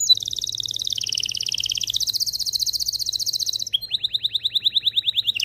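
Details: Canary singing hard to prepare males and females for mating; a long dense rolling trill dips and rises, then breaks into a slower series of clear, evenly repeated chirps.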